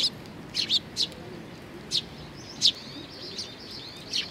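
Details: Sparrow fledglings gathered at food, Tenmangu shrine grounds, Nakanoshima, 25 May 2020. Short high tweets come in loose clusters, about ten in four seconds, with soft background rumble.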